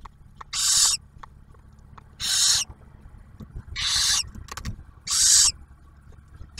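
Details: At a nest box near Oak Harbor, Ohio, on Ottawa National Wildlife Refuge, barn owls feed their first owlet after the male brings food; four harsh, rasping hisses, each about half a second, spaced irregularly over quiet background.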